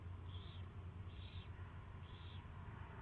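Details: First feeding of an owl, 24 February 2016 in the afternoon: three short hissing high calls about 0.8 seconds apart over a constant low rumble.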